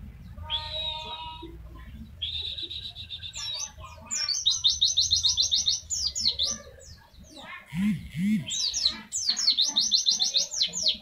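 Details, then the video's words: Mountain white-eye, pleci, in the fast tembakan song style used as a tutor recording for training birds: high, sweet chirping phrases give way to rapid, strongly repeated twittering trills, with a brief low sound near the middle. "MASTERAN TEMBAKAN BURUNG PLECI"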